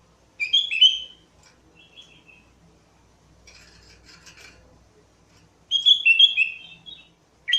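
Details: Lure song of a Sooty-headed bulbul: a quick gurgling whistled phrase, a quiet pause with faint scratchy rasping, then another bright bubbling phrase and the start of a third.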